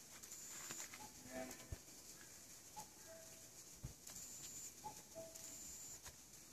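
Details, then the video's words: A distant common cuckoo in woods near Ilyoung Youth Hostel, South Korea, in spring 2014, giving its soft, low, falling two-note cu-koo about every two seconds, while thin high whistles of other birds ring above. "뻐꾸기 소리(The sound of the cuckoo in the woods)"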